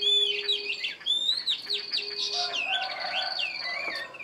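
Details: Caged Chinese hwamei, a wild-caught fighting-type bird, singing a rich, varied song of loud whistled phrases, sweeping slurs and rapid warbles, pitched high, with a faint steady low tone underneath.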